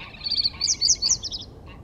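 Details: Reed bunting giving a short, high, jingling song phrase of quick chirped notes lasting under two seconds, over a low background rumble.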